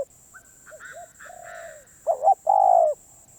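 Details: Spotted dove, a wild-caught bird described as very persistent, cooing: soft low notes, then a loud double-pulsed coo followed by a long, slightly falling hoarse coo; faint higher whistled notes from another bird in the background.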